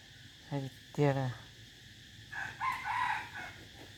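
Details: Crowing decoy chicken heard faintly in the latter half. Two short harmonic calls come first, over steady low background noise.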